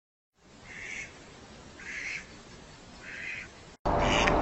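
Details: Drake Mallard nocturnal flight calls: three hoarse, raspy calls spaced about a second apart over a steady hiss, cut off by a loud burst of noise.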